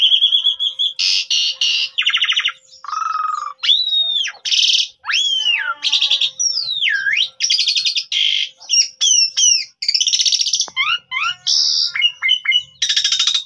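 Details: An Asian pied starling recording used as a lure to prompt other starlings to sing: a fast, unbroken medley of harsh squawks, buzzy bursts and clear swooping whistles, mostly high-pitched, with no other sounds.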